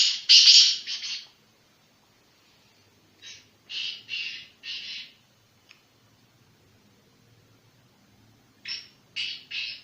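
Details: Black francolin of the pure Sindhi strain, district Sanghar, Sindh, calling in loud harsh rasping phrases of about three grating notes each, separated by several seconds of near silence.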